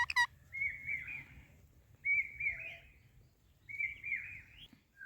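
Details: Rose-ringed parakeet, a ringneck parrot, giving three drawn-out chirping calls around two kilohertz, each lasting about a second and spaced roughly two seconds apart, with a short sharp note at the start and low background rumble.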